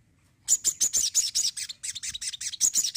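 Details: Lively crimson sunbird song: a quick series of high, sharp, tinkling notes delivered in uneven bursts for over two seconds.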